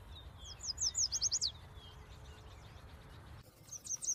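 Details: Yellow warbler (Setophaga petechia) gives a bright, rapid song of high, sliding notes that accelerates to a close. A quieter stretch follows with faint distant chirps, then a few more high notes near the end.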